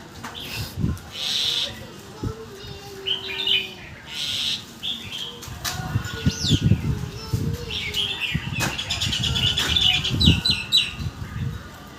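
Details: Caged red-whiskered bulbul singing fast-linked phrases: short bright warbled bursts, rising and falling, repeated every second or two, over low thumping and rustling background noise.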